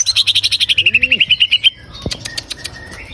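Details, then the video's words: Green leafbird song used as a lure to get a captive bird singing quickly: a fast, even series of about sixteen sharp high notes sliding slightly downward, then a lower looping whistle and scattered clicks. "PANCINGA BURUNG CUCAK IJO AGAR CEPET BUNYI GACOR"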